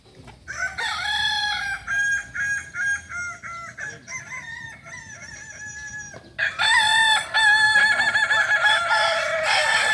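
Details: Kukuak balenggek cockerels crowing at a practice contest in Panyakalan, Solok. Long, stepped, multi-syllable crows rise and fall in short linked segments, then one loud, sustained, strongly harmonic crow ends the recording.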